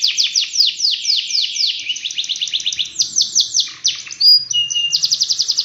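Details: Canary in long, vigorous song used as a training model to prompt other canaries to sing; fast trills of downslurred notes shift through several phrase types, broken by a brief pure whistled note before a final rapid rolling trill.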